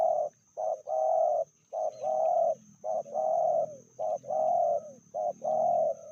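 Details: Female spotted dove (tekukur), said to be fiercer than the male, with a medium-strength voice; repeated mellow cooing phrases, each a short note followed by a longer rolling coo, about every second, over a steady high electronic whine.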